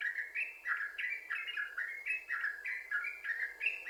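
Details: Yellow-vented bulbul singing continuously, a lively run of short whistled notes that flip between lower and higher pitches, about three notes each second, over a faint hiss.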